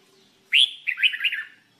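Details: Red-whiskered bulbul in singing training: a loud upslurred whistle followed by a quick run of warbled, bubbling notes, all clear and high against a quiet background.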